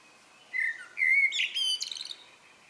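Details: Blackbird evening song, common blackbird: a brief low flute-like warble, then a sharp, rapid high-pitched trill-like twitter closing the phrase, with a quiet background.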